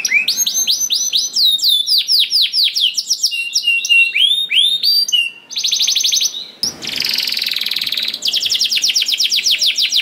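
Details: Lure song of a canary for getting other canaries to sing, with cascades of falling slurred whistles, a fast mechanical trill, a harsh buzzy burst and renewed rapid trilling.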